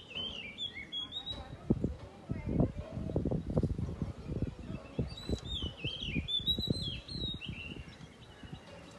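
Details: An Oriental magpie-robin (Copsychus saularis) sings in the morning, giving varied, sweet whistled phrases, some rising and falling, in two bursts. Low murmuring voices and rumbling noise run underneath.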